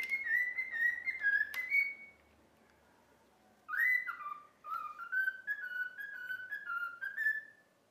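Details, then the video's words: Cockatiel trained to whistle "If You're Happy and You Know It": a wavering whistled line ending in a click, a short pause, then a rising swoop followed by a run of steady stepped whistles over a faint background hiss. "COCKATIEL SINGING IF YOU ARE HAPPY AND YOU KNOW IT WHISTLE"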